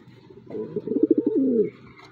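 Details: A racing pigeon from its owner's loft, described as aggressive, gives a low, throaty coo that pulses quickly and then draws out into a longer note.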